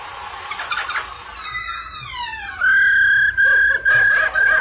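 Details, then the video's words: Black-throated laughingthrush song used with the female 'ro ro' call for exciting males: a noisy rough opening, a long descending whistled glide, then loud steady level whistles broken by short gaps. "Chim khướu Bạc Má hót múa tiếng mái ro ro kích tróng"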